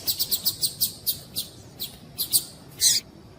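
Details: A female double-collared seedeater gives thin, high chirps, quick at first and then slowing, ending in one harsher burst, with no other sounds; the female call is used to stir male seedeaters into singing.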